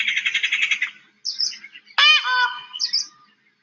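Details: In an Indian jungle, an Indian peafowl gives an alarm call that may signal a big cat on the move: a harsh, rattling burst of squawks, then loud nasal honks that drop in pitch, all within a few seconds.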